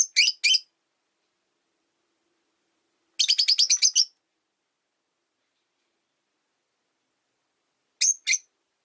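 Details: Rosy-faced lovebirds, three birds sharing one cage by a window, the resident white-faced bird disliking the newcomer: paired shrill chirps, then a fast chattering burst of about ten chirps, then another pair.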